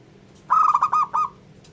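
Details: Local zebra dove from Indonesia, its song meant to rile other doves, with a quick burst of five or six clipped, mellow coos run tightly together.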